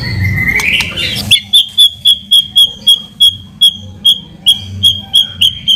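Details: White-rumped shama lure song used to provoke a response: a steady whistled note near the start, then a long series of short, bright whistled pips repeated several times a second, with low background hum.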